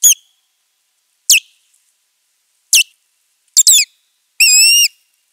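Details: Osprey at nest #3 during a territorial fight on 19 April 2023: shrill, clear whistled alarm notes about once a second, ending in a longer quavering call, with no other sounds.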